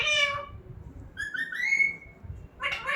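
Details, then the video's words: Pet talking parrot: a harsh harmonic syllable, then a clear whistle that slides up and holds, ending with a rough burst; faint low room noise beneath. "Talking parrot Mitthu"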